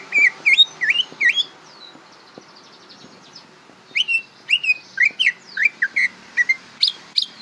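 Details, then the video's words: Greater green leafbird learning to sing: bursts of clear, looping whistled notes, rising and falling, repeated quickly for about a second and a half. A quiet pause follows, then a longer run of varied, slurred whistles with a few sharper high notes. "suara burung cucak ijo belajar berbunyi"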